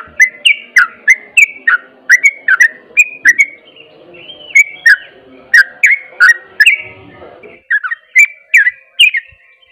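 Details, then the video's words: Long rapid ropel song of a Sooty-headed bulbul, used to make other bulbuls respond: continuous cascades of bubbly whistled notes, a brief lull midway, then more quick paired notes, faint low rumble underneath. "SEMUA TRUCUK AKAN JADI EMOSI IKUT ROPEL BUNYI"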